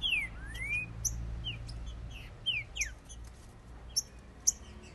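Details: Green-winged saltator males in a song contest: a few loud whistled slurs, one long rising note, then sparse short whistles and high chips over a low hum.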